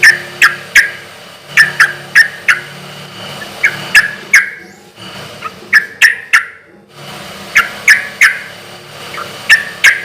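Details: Sooty-headed bulbul singing loudly and persistently in a relaxed rhythm, used as a lure to draw quick replies from other bulbuls: short sharp chirped notes in irregular bursts of two to four, with a brief quiet gap midway and low background hum.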